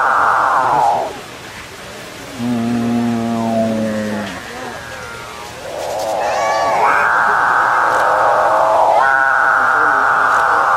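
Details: Several excited capuchinbirds mooing at each other and at the recordist: long, drawn-out moaning notes rich in harmonics, with a lower groaning phrase in the middle and loud sustained calls toward the end.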